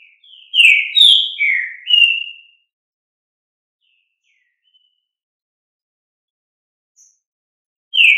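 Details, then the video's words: Green-winged saltator (trinca-ferro) singing its fibra song, a loud phrase of four rich, slurred whistles in about two seconds, then pausing before starting again. "Ensine seu Trinca-Ferro a cantar (Canto Fibra)"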